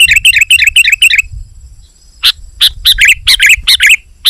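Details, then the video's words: Sooty-headed bulbul calling to draw in wild bulbuls: a fast run of about seven bubbly chirps, a short silence, then a looser series of loud, sharp clipped notes. "Suara Burung KUTILANG GACOR Rapat Menekan Lawan Ampuh Untuk Memikat BURUNG KUTILANG Liar"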